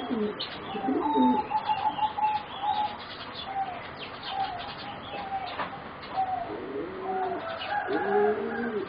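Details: Singing zebra doves of a competition-bred line, four young birds aged around 3.5 to 4 months. Thin, flat high chirps come first. Soft arched coos follow near the end, under some background noise.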